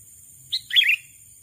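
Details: One brief bulbul phrase: a sooty-headed bulbul luring a rival with a sharp lead note followed by a quick bubbling, slurred warble.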